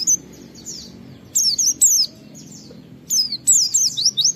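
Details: Oriental white-eye, a kept songbird, singing a loud lure song meant to prompt other white-eyes to sing; high, thin whistled phrases with quick down-slurred notes come in short bursts separated by brief pauses, over a faint low background hum.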